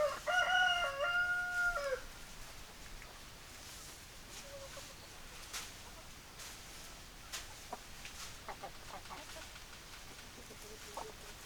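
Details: Rooster crowing: one loud, ringing crow about two seconds long with a stepped, level melody, then quiet intermittent clucks and clicks from hens over background hiss.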